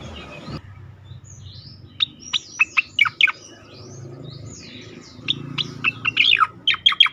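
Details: Sweet striated grassbird song, meant as sound therapy for songbirds in training: after a quiet start, sharp descending whistled notes arrive in bursts, then a quicker run of high chirps and slurs over a low hum.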